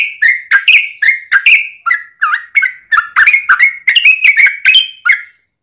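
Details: Yellow-vented bulbul giving a long chattering song to make other bulbuls respond: quick chain of liquid, warbled notes, each dipping then rising, delivered about three per second, ending abruptly.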